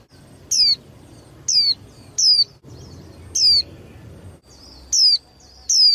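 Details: Thin, high, falling whistles from a young female white-eye kept to stimulate males during singing contests, seven notes in a broken rhythm with a faint background murmur.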